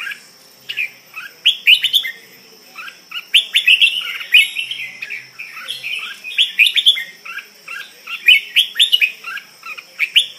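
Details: Caged red-whiskered bulbul, song style called Suea Mek, delivering strong, fast runs of chirpy warbled notes in clustered phrases with brief gaps, over a constant faint high-pitched hum.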